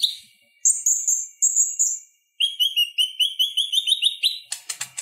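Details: Purple-throated sunbird in clear, relaxed chattering song used as a tutor for other birds: high thin notes, then a fast buzzy rattling trill of rapid repeated pulses, ending in a brief burst of scratchy notes.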